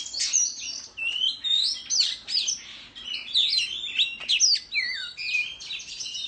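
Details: Oriental magpie-robin singing competitively in the countryside while fanning its tail in display; a rich, continuous stream of varied high whistles, trills and slurred notes in rapid phrases with brief pauses.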